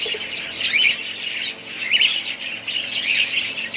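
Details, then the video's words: Pet budgerigars in a family group give busy, overlapping chirps and scratchy squawks, with a few brighter whistled notes standing out every second or so above the steady high chatter. "ali family budgies parrots"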